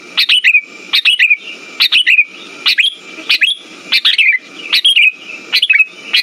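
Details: Sooty-headed bulbul phrases played to rouse birds that have stopped singing: lively paired and tripled chirps with falling tails, coming close together about every 0.7 seconds, over a faint steady whine.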